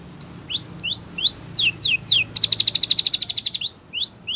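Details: Champion training song of a Spanish Timbrado canary: gently rising whistles, a few steep falling sweeps, then a vigorous rapid trill, with a faint low hum beneath.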